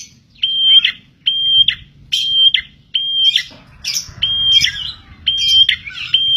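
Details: Lure recording of a vigorous prenjak tilek (prinia). Rapid series of pure high whistles with abrupt falling ends, roughly seventy per minute, mixed later with harsh chattering notes over faint low noise.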